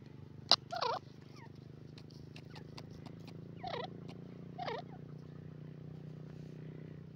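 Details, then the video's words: Grey francolin, or teetar, utters a few brief, coarse, bending notes about a second apart, with sharp clicks and a constant low hum in the background. "grey francolin call pheasant birds awaaz"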